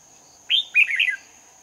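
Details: Competitive song of a red-whiskered bulbul used as a lure while trapping in Hoa Binh, 18 November 2019. A single brisk phrase: an upslurred whistle followed by rapid chattering warbles, with a constant high-pitched hum behind.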